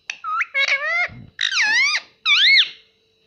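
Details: Pet parrot imitating "mummy" and "papa" indoors: three strong, wavering, voice-like phrases, each dipping and rising in pitch, with short gaps between them.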